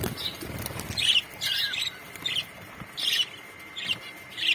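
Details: Budgies in a colony chattering: short bursts of scratchy, high warbled chirps, roughly one each half-second with brief quiet gaps between.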